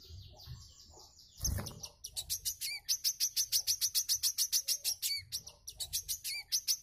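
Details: Wiceh mbeset song meant for training cage birds: a loud thump, then a quick even series of sharp high chirps with short falling slurs mixed in, repeated about three times a second.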